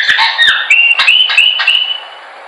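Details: Chopi blackbird training song: a few rough whistled notes, then a string of rising whistles that level into one long, even tone, with sharp clicks among them.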